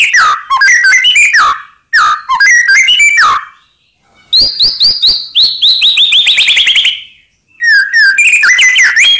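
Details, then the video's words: White-rumped shama song for provoking rival birds into answering: varied rich whistled phrases broken by pauses, including a fast run of sharp downslurred notes and tumbling melodic slurs. "Ampuh Buat Murai Lain Terpancing Emosi Seketika Insyallah Langsung Nyaut"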